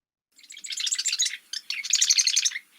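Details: Marsh Wren, a bird of deeper wetlands, gives its gurgling rattle: quick bursts of high, liquid notes, more musical than dry, in two bursts with a brief pause between them; the song varies slightly between renditions.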